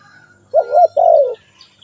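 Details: A single spotted dove call: a short wavering coo sliding up and down, a brief gap, then a longer, slightly falling coo, with a faint steady tone and soft chirps in the background.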